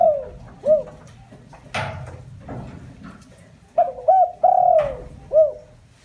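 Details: Spotted dove decoy calling to excite other doves. The clip opens with the tail of a phrase, has a noisy thump in the middle, and ends with a full phrase: short coos, a long descending hoot and a clipped last note.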